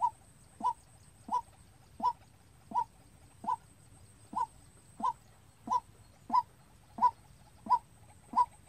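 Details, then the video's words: Trained white-breasted waterhen decoy calling alone for use in trapping: a long, monotonous series of thirteen short, hollow 'kwak' notes, evenly spaced roughly every 0.7 seconds, with a faint low hum underneath. "Tập quốc mồi tự chơi-Tiếng quốc đi bẫy"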